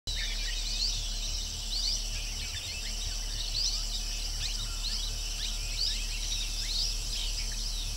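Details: Several Asian green bee-eaters (Merops orientalis) on a bush give short, high chirps and trills scattered throughout, over a steady low rumble and a constant high insect-like hiss.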